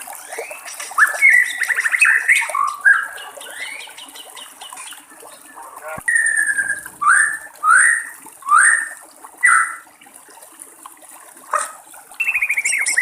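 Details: In the wild by trickling water, a white-rumped shama mixes varied whistled phrases with a run of four or five loud downslurred whistles, evenly spaced, then a final rising note.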